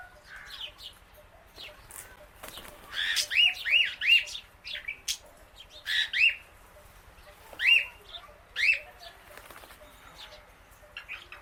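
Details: Female Indian ringneck parakeet outdoors eating grass among many birds; short rising screechy chirps in bursts, several quick notes around four and eight seconds, with softer chatter from other birds between.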